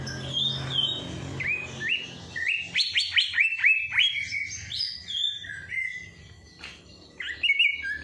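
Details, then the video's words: Bird that sings nonstop after its night bath, played to stimulate lazy birds: a dense, varied run of whistled notes, many falling sharply, others level, in fast succession with short pauses. "Perangsang Burung Malas Bunyi || Habis Mandi Malam Langsung Cor Dor"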